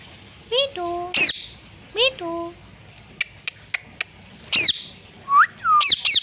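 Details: Pet parrot mimicking speech such as "mummy papa" and "sita ram"; clear talking-like syllables with steady tones, sharp squawks and quick clicks, repeated phrases about a second apart.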